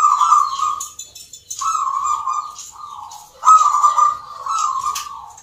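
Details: Perkutut (zebra doves) at a Yogyakarta, Indonesia song contest for the Nglagu Ngepat Mentaraman style: a sustained run of soft, warbling coo phrases with short breaks, backed by high twittering from other birds.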